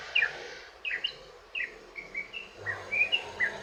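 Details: Sooty-headed bulbul, long rapid song intended to lure other bulbuls: scattered liquid, slurred chirps with gaps between them, a few notes rising sharply, over faint background hiss.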